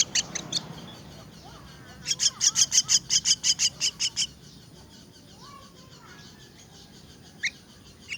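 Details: Begging myna chicks at feeding time: a few rasping notes, then a dense run of roughly a dozen loud buzzy calls, followed by quieter background and a couple of isolated harsh notes at the end.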